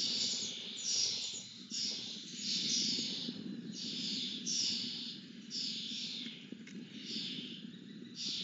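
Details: Lesser kestrel being fed: rasping, screechy begging calls repeated roughly every second in uneven bursts, with a constant low rumble of background noise.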